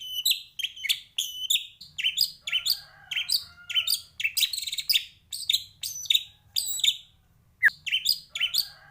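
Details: Energetic white-rumped shama song with full varied fill-in phrases, meant for training other birds to sing: rapid runs of sharp chirping notes, some lower buzzy phrases, and a single sudden downslurred note near the end.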